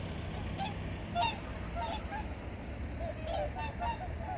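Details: Early-morning chorus of various migratory birds at Changwon's Junam Reservoir in 2019: scattered harsh honks, some louder bursts near the start and end, with steady low background rumble throughout.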